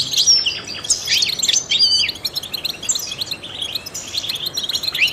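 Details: Rapid, liquid twittering from a trained European goldfinch whose song is used to stimulate other songbirds; clustered high chirps and quick slurred trills run continuously in bursts.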